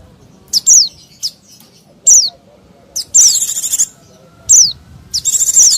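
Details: White-eyes calling in a lure recording for wild small birds. Thin, downward-slurred whistles alternate with two long, raspy buzzing trills, over a faint low background drone.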